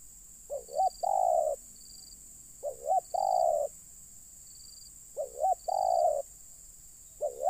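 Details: Spotted dove at a bird-luring site, calling in repeated two-part phrases roughly every two and a half seconds: a wobbling short note, then a longer even coo. Brief high tones come and go in the background.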